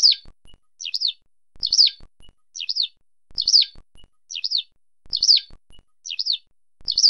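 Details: Eurasian skylark calling in a steady series of high, rolling chirp pairs. Each pair sets a buzzy, downslurred note against a quicker trilled one and comes back regularly at roughly 1.7-second intervals. Only faint low ticks are heard in the background.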